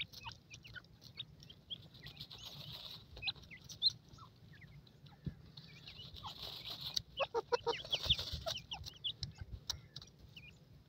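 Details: Francolin chicks playing in jungle, calling with many short, high chirps and upslurred peeps, scattered irregularly and bunched near the end, over a steady hiss and low rumble.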